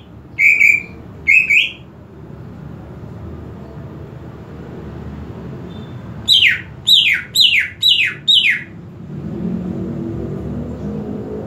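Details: Greater green leafbird, a kept bird being worked up into excitement and breeding condition: two short level whistles open, then a pause, then a rapid run of five sharp whistled notes, each sweeping downward. A low background rumble follows.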